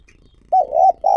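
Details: Lure spotted dove cooing. Two low, warm, steady coos in close succession, the second cut off as it begins.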